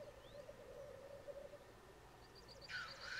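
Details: Black grouse displaying on the Sallandse Heuvelrug in Overijssel, Netherlands. Steady low rolling bubbling fills the first two seconds, then a sudden loud hissing sneeze ends it. Faint high chirps come from another bird.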